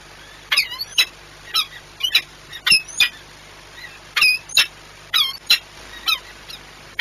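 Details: Peregrine falcon courtship at Płock, 6 March 2021: loud, harsh notes in short clusters of two or three, with thin wavering whine-like tones between them.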